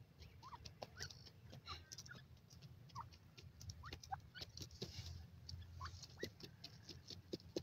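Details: Baby Sindhi partridge chicks exploring, playing with siblings and eating outdoors in Punjab, Pakistan give thin, short rising peeps, scattered irregularly every second or so, over a low rumbling hum and soft tapping clicks.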